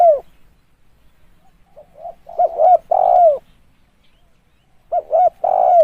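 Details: Lure spotted dove giving soft rising coos that build to loud hooted notes ending in a long falling coo, a pause, then the phrase starts again.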